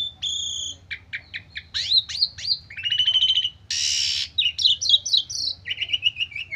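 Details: Stressed Asian pied starling singing mimicked fills meant to provoke replies: a sustained double whistle, clipped repeated notes, upslurred whistles, a rapid rattling trill and a loud hissing burst, followed by quick chattering phrases.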